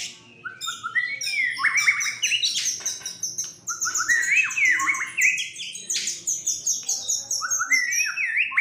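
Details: Agitated fighter white-rumped shama in full, loud song: a rich, varied run of whistles, sweeping rising and falling notes, harsh squawky bits and rapid chirps, almost without pause.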